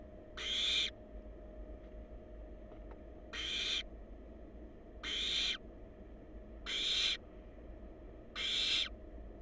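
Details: Barn owl babies, wild, in a nest box under camera watch, give five rasping hiss-screeches at intervals of about two seconds, each burst noisy and broad, against a constant background hum.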